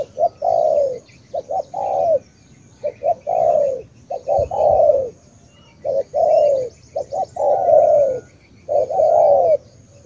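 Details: Spotted dove, tú type from Cà Mau, Vietnam, cooing steadily. There are about six phrases of two short taps followed by a long, throaty, downward-sliding coo. Faint high chirps and hiss sound in the background.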